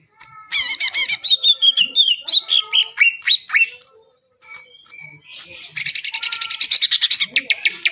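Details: Greater green leafbird song used to rouse silent birds: looping whistles drop into a run of descending chattering notes, a brief pause, then a fast, dense trill of repeated high chips.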